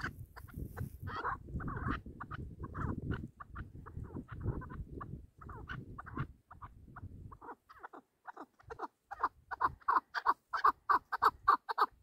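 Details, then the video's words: Chukar partridge kept for hunting, giving short clucking notes around one to two thousand cycles, sparse and uneven at first over low rumbling background noise, then louder and faster in a rapid series of sharp chucks near the end. "Бахси Кабкои шикори Кабк Keklik که و Partridge Chukar"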